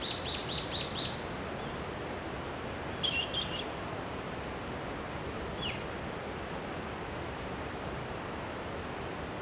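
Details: Japanese pygmy woodpecker chicks at the nest in a mountain village, Shimokitayama, Nara Prefecture, Japan, being fed by parents in late spring: a quick burst of high, thin chirps, then two short chirp groups over steady background hiss.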